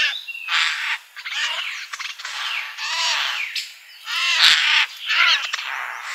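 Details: Garden feeder birds in summer give rough, grating, crow-like calls and hoarse chatter, overlapping in bursts, with one sharp click-like knock partway through.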